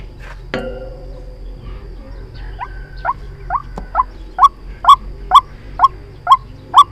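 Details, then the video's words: White-breasted waterhen lure for trapping: soft, scattered notes and a brief sharp sound give way to a strong, regular run of harsh rising calls about twice a second. "Tiếng chim quốc Mồi chuẩn dùng để bẫy"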